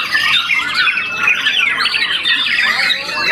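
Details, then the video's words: Young white-rumped shama, a contest winner after its first moult, giving a short burst of fast, tumbling whistles and chatter at high pitch without a break. "murai batu muda mabung satu kali"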